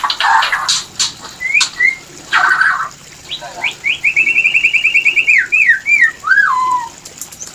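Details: White-rumped shama mating call, used to trigger breeding condition: harsh bursts, then a fast even trill of repeated whistled notes, followed by looping whistles and a descending slurred phrase.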